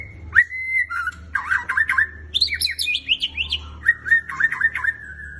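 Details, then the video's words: A Black Shama, kept as a fighter, pours out a rich, varied song of clear whistles, quick slurred trills and rising notes, with a faint low hum beneath. "Black Shama gacor fighter!!"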